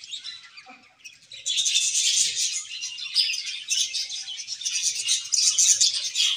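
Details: Colony of budgerigars eating and chirping; soft chatter at first, then from about one and a half seconds a loud, unbroken wall of high, scratchy warbling twitters.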